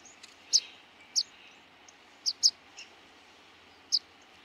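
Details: Rock pipit (Anthus petrosus) uttering scattered sharp, high, squeaky call notes, five clear ones over four seconds, against a soft steady background hiss.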